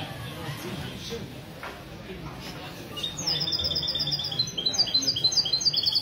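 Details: Goldfinch mule (mesto) heard on a Sunday morning in a café at Ksar el-Kebir, 16 February 2020. After three seconds of murmuring voices, a high, rapid twittering song starts and keeps going, growing louder.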